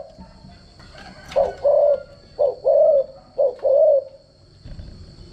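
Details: Spotted dove giving a decoy call for training other doves: three soft, low coos in quick succession, the first short and the next two longer and rounded, then quiet with faint background hum.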